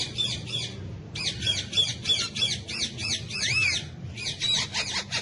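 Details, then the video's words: Hand-tame Alexandrine parakeet, a pet kept with ringneck parrots and said to talk in Urdu/Hindi, gives harsh, grating squawks in rapid bursts of about three per second with brief pauses; other parakeets seem to call alongside. "Alexandrine Parrot Talking"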